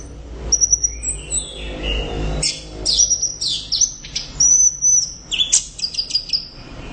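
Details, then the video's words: Loud orange-headed thrush song: thin high sustained whistles mixed with quick chips and slurred notes, building into a busy cluster of varied phrases toward the end. "Suara Burung | ANIS Merah Gacor Volume Keras Teler Mantap"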